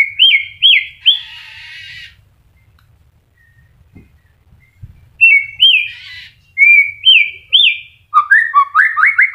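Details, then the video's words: Caged white-rumped shama in early moult, still singing: loud upslurred whistles repeated in short runs, broken by a harsh buzzy rasp, a quiet gap, then more rising whistles and a fast tumbling series of notes. "MURAI MABUNG TETEP GACOR"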